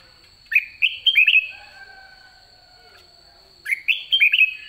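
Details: Red-whiskered bulbul, white-cheeked, end of season, ché singing: two lively phrases of rapid, rolling whistled notes about three seconds apart, a faint lower tone between them and a steady high whine throughout.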